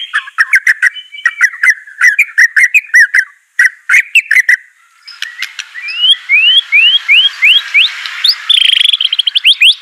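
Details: White-rumped shama song played to make a reluctant bird respond: stuttering chips and short whistles for several seconds, then a steady run of rising upslurred notes over a faint hiss.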